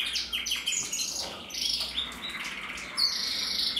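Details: Red mosaic isabel canary cock with a red mask, from a canary breeding, 2024, giving broken high chirps and short rolls, then a sustained buzzy trill near the end, in a quiet indoor setting.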